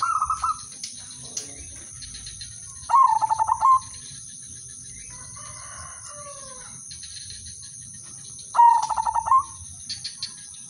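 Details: Udanmas silver zebra dove, known locally as perkutut or merbok, singing a melodious lure song that sets other doves off: three separated bursts of quick throbbing coos, with faint descending calls of another bird between them and a constant high hum.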